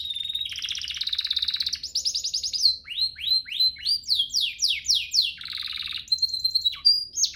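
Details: Training master song of a canary: a steady high whistle, a dense buzzing trill, then a series of upslurred whistles and steep falling sweeps, closing with buzzy rolls and clear pure notes.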